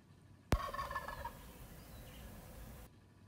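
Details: A wild turkey visiting in the morning gives one loud, rapid, rattling gobble that trails off over about a second, with low background rumble after.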